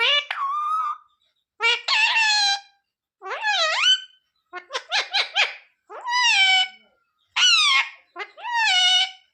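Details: Pet parrot talking indoors, said to call for mummy and ask for roti; seven loud, separate, raspy speech-like phrases, some swooping downward, one a quick stuttered string, roughly one per second.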